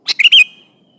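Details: Sooty-headed bulbul in full song, calling a rival: one brief bubbly phrase of rapid notes ending in a faint, drawn-out thin whistle.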